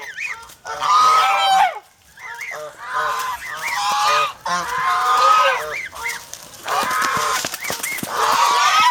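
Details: Domestic geese on a Philippine farm, a protective flock, giving raucous honks; short rising and falling nasal notes stacked over one another, bursts of calling separated by a quieter pause near two seconds.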